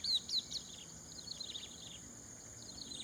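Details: Two chestnut-capped babblers in rice fields, Prachuap Khiri Khan, Thailand, in the early morning: three quick, thin, high chirps in the first half-second, then fainter scattered notes over a steady high insect-like hum.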